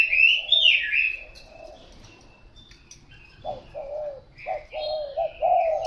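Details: A loud, rising and falling whistle from another bird opens the recording. Low, hollow spotted dove coos follow and run in a quick, uneven series through the second half.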